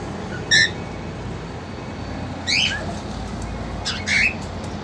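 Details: Caged cockatiels, a two-month-old female with a young male eager to mate: three short harmonic squawking chirps, one near the start and two louder ones toward the end, over steady low background hum.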